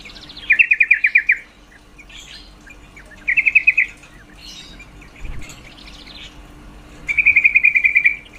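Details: Three separate bursts of rapid, rattling notes from a female yellow-vented bulbul, her call to arouse males for mating, with softer varied chirps filling the gaps between bursts.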